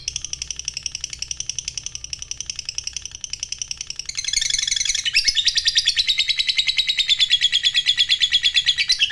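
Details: Lovebird chatter, the long ngekek style: a quieter run of fast high ticking notes gives way midway to a louder, denser, buzzy trill that continues to the end, with a brief click at the switch.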